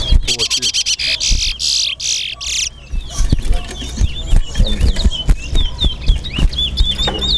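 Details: Towa towa, or chestnut-bellied seed finch, competing at a Guyanese bird-song contest: a burst of dense buzzy noise gives way to a steady stream of bright, looping whistles while people talk nearby.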